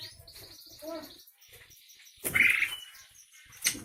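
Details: Asian pied starling of the Javan form, described as very noisy and chattering, gives a short harsh rasping burst after a faint thin sustained tone and soft scattered chatter, then one brief sharp note near the end.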